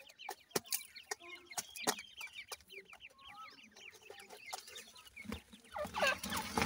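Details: Several grey francolin chicks, Dhakni against Irani teetar, fighting and playing; dense chattering of high, short slurred peeps, almost continuous, punctuated by sharp taps, ending in a noisy rustling scuffle.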